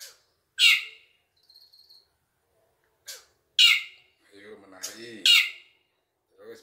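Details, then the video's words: A black drongo, apparently a captive singer urged to sing along to hand rhythm, gives loud, harsh, buzzy bursts about every two seconds with a faint thin whistle between, while a man speaks softly. "BURUNG SRIGUNTING SUARANYA MENGGEMAH"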